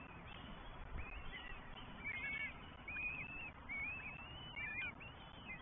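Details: On 20 May 2023 in the New Forest, Northern goshawk chicks, three of them, call to be fed by mother then father; a string of shrill, slightly rising whistled cries repeating roughly every second, with a low steady background hiss.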